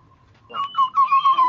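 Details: Black-naped oriole lure sound for attracting birds: after near-silence, mellow low whistled notes rise into a wavering, pulsing fluted phrase that repeats in quick beats, with faint higher overtones.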